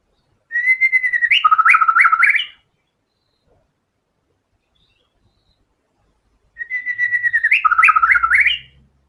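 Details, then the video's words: Two matching song phrases of a white-rumped shama, each a sustained whistle sliding into rapid alternating high and low notes and a rising finish, separated by about four seconds of silence. "MURAI BATU GACOR‼️FULL BONGKAR SEMUA MATERI ISIAN"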